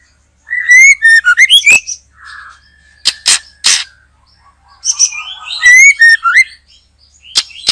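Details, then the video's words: Murai batu, the white-rumped shama, sings vigorously during trapping in a backyard: loud fluty whistles sliding upward, fast chattering runs and hard snapping clicks in bursts, with short pauses between phrases. "Mikat Burung Murai batu,,Sudah gacor dorrr"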